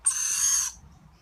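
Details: Single loud, scratchy hissing screech from a lorikeet chick fed by its parents, lasting just over half a second and then fading out.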